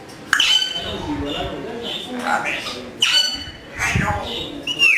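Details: Pet African grey parrot that speaks Urdu and Pashto words, producing speech-like mimicked syllables mixed with sharp whistled notes and squawks in an indoor room.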